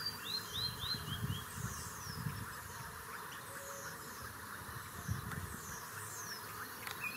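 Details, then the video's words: Greater Yellowlegs singing in wetlands at David, Chiriquí, Panama, as migration starts: a quick run of clear, high, down-slurred whistles over insect hiss, wind and faint background black-bellied whistling duck calls. "greater Yellowlegs singing"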